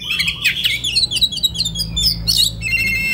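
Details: Fast, dense white-rumped shama song in relaxed style for training young birds from the forest, a stream of rapid chattering and twittering notes ending on a clean, level whistle.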